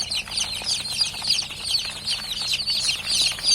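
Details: Many newly hatched domestic chicks, just starting to hatch, peeping together in a dense chorus of high, thin, downward-sliding cheeps that overlap constantly and come several times a second.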